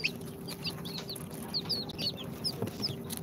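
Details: Second-day incubator chicks of Sultan, Golden Sebright, Cochin and booted breeds peep in bright, thin, downward-slurred notes about three a second, over a faint steady machine hum.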